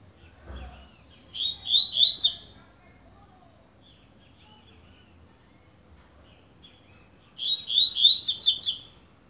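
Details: A Double-collared seedeater of the coleiro blade style, warming up, sings two short bursts of fast high chirps about six seconds apart, with a brief low thump near the start and silence between phrases.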